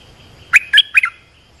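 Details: Lure call of an olive-winged bulbul, used to teach young birds and attract wild birds: three rich, liquid notes in fast succession, the last one breaking into a falling double note, against a quiet hum.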